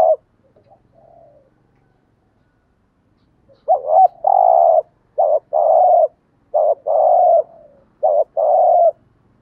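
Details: Spotted dove coo in the 'gù thúc' style for luring wild doves: a few soft faint notes, then four quick phrases, each a short wavering note and a steady drawn-out coo, closely repeated.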